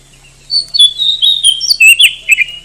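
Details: Continuous varied whistling from an oriental magpie-robin, a bird often entered in song contests in Indonesia, with rising and falling clear notes and quick chips, over a faint background hum.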